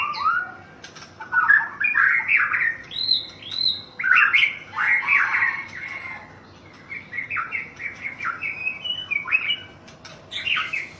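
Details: National champion white-rumped shama in Thailand sings a long, varied run of loud looping whistles and slurred notes, gradually shifting to quieter rapid chips and trills.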